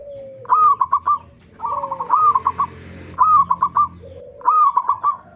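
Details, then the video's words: Lure recording of local zebra dove song to prompt other doves to sing: four rolling, stuttering coo phrases, each followed by a lower sliding coo, roughly one phrase a second with short pauses. "pancingan perkutut lokal gacor AMPUH pandai BIKIN semua BURUNG PERKUTUT GACOR RAJIN BUNYI"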